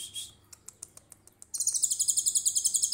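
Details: Trotol konin delivering its 'tembakan cililin' phrase: a brief high note and a run of sparse clicks, then an abrupt, rapid, shrill trill held steadily to the end.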